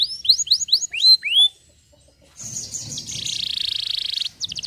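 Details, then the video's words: Canary singing briefly: a few quick descending whistled notes, a short pause, then a dense rapid buzzing trill held for over a second before a final burst of notes; faint low background rumble. "estimulando o som de avisos de avisos rapidamente"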